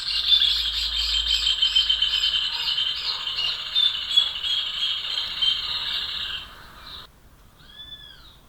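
Rufous hornero giving a loud, shrill, rapid chatter of ringing notes, about three per second, lasting several seconds. It is followed after a brief pause by a single arched whistle.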